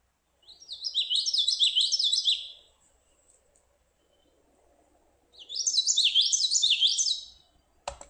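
Common Yellowthroat singing two bursts of rolling, repeated 'witchety-witchety' triplets, bright and high, each about two seconds long, with a click at the end.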